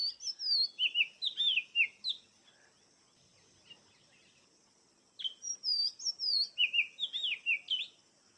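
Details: Oriental magpie-robin, known locally as kacer, singing in two bursts of clear whistled phrases, slurred notes sweeping up and down, repeated quickly, with a quiet pause between bursts and a steady high hiss behind.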